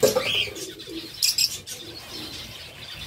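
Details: Zebra finches kept by a breeder in Sargodha give short, nasal, toy-trumpet notes and a couple of harsh, buzzy bursts over about three seconds, with faint indoor background and possibly a dove cooing.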